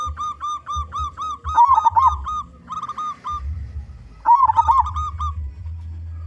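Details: Local zebra dove song, loud and used as a lure for other doves: a run of short, evenly spaced hooting notes breaks into quick, wavering trilled coos twice, with a low droning hum beneath.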